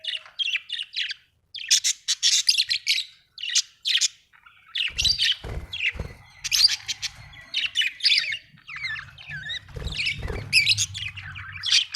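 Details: Happy budgie chirping and warbling: dense runs of scratchy, buzzy notes and squawky chirps, continuing for several seconds, broken by short pauses, with low hum and thumping in the second half.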